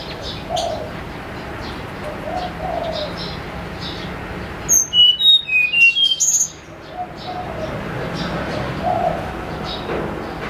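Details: Snowy-browed flycatcher in the morning, sung as a lure: a burst of about eight thin, pure whistles tumbling downward in pitch, ending on a higher note, with low dove coos and faint chirps before and after.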